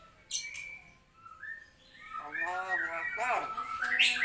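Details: Talking common hill myna copying religious phrases like Allahu akbar and Assalamualaikum: a thin whistled note, then a rising, voice-like run of stacked harmonic syllables that grows louder toward the end.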